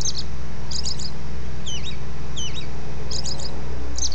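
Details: American robin (Turdus migratorius) dawn song: clusters of quick, high chirping notes and a few slurred, swooping phrases, repeated several times a second, over a steady low hum.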